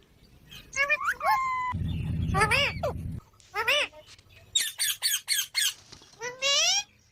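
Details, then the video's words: Green parrots vocalizing in bursts of bending, tonal notes and rising squeaky phrases, with a low droning buzz underneath for about a second and a half, then loud harsh squawks and a final rising warble. "Beautiful Green Parrots Talking | Funny Parrot Sounds"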